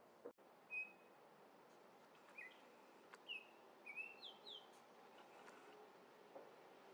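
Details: Orioles in Minnesota visiting a feeder to eat grape jelly, giving a few short whistled slurred notes, several rising or level, spaced out over several seconds against quiet background hiss and a couple of soft clicks.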